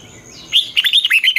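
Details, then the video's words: Red-whiskered bulbul singing its twisting 'giọng xoắn' morning song, used to teach young birds: a single brief burst of fast, chattering, slurred whistled notes after a moment of quiet. "luyện chào mào hót sáng, Giọng xoắn hay dùng để ép bổi, Má trắng học giọng rất hay, chào mào hót đấu"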